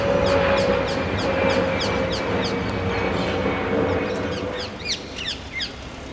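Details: Rose-ringed parakeets in central London give harsh, high screeching calls, several per second, over a steady roar of city traffic and a low engine hum.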